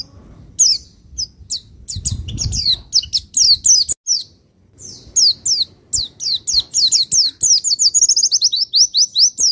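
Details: Javan white-eye from Pacitan, a master recording to rouse other birds: scattered high chirps building into a long, lively run of quick slurred notes ending in a fast trill-like series; brief low rustling early.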